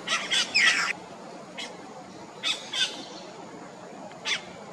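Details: Yellow-rumped cacique on Ilha de Comandatuba, Bahia, Brazil, 2020, giving a loud opening burst of harsh, chattering squawks with liquid notes, then several short scattered calls over a quiet background.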